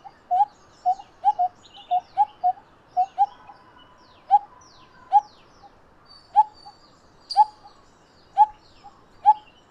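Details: Pair of coppersmith barbets (Psilopogon haemacephalus) calling: low, hollow 'tuk' notes, roughly one every second, with faint chirps of other birds in the background.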